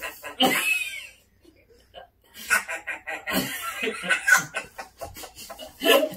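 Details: A pet parrot, set off laughing after a vet visit, cackles in a human-like laugh: one harsh, rising squawk, a short pause, then a rapid run of throaty, chuckling bursts.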